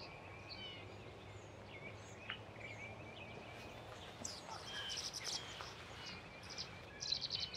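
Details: A nesting male and female Tree swallow (Tachycineta bicolor) pair at Patuxent Research Refuge, Laurel, Maryland, 14 April 2024: short liquid chirps and twitters, irregular, growing busier toward the end, over steady hiss.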